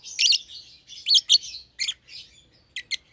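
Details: Two young caged lovebirds, a euwing green opaline and a red-eyed albino kept as a pair, give sharp high chirps in short bursts, some doubled, with brief pauses between, over quiet indoor background.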